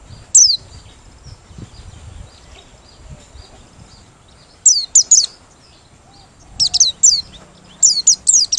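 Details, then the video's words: Merapi white-eye singing with open beak, a lure sound for trapping: high piercing downslurred notes, a single one first, then a pair after a long pause, then tight clusters of two to three quick notes near the end. "Pleci Merapi Ngalas Losssdol,cocok buat pikat~pancingan || Buka Paruh"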